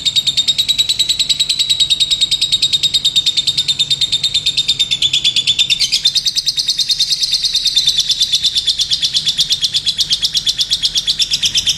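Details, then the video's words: Lovebird giving a long, unbroken high chattering trill, its rapid pulses running about three per second without pause, pitch lifting briefly midway before settling again. "Love Bird gacor"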